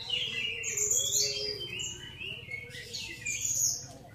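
A Grey-cheeked bulbul gives bright, squeaky chattering phrases in two bursts, high and rapidly changing, over a faint low hum.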